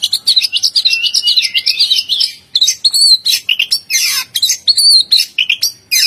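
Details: Oriental magpie-robin (kacer) singing a fast, varied run of high whistled and chirping notes, sliding up and down in quick bursts with brief pauses, the phrases growing harsher and more scratchy toward the end.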